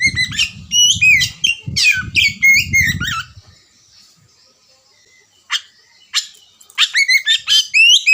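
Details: Oriental magpie-robin (kacer) song meant as a lure to trigger chattering: dense whistled and trilled phrases over a low rumbling sound, a quiet gap, then renewed sharp whistled bursts.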